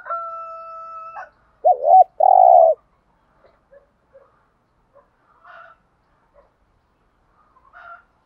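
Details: Decoy spotted dove in thúc gù style, used to provoke other doves: a steady held tone, then a hooked double note and a dense long coo, followed by quiet scattered faint sounds.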